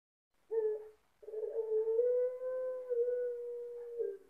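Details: A Barbary dove (puter pelung) with a big voice and thick ending gives a short low note, then one long, deep, steady coo of about three seconds that swells slightly and ends thickly.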